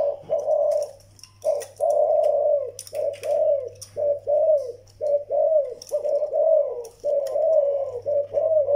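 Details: Zebra dove, a young bird and an old Vietnamese decoy bird: soft, mid-pitched cooing phrases broken into short staccato bursts, roughly one per second, with faint clicks and rustles.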